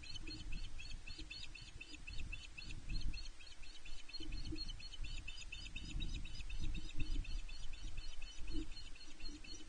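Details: At the Loch Arkaig osprey nest in Scotland on 5 July 2021, the female shouts for the male, who brings her a fish. Continuous high whistled cheeping, fast and evenly repeated throughout, with strong wind buffeting underneath.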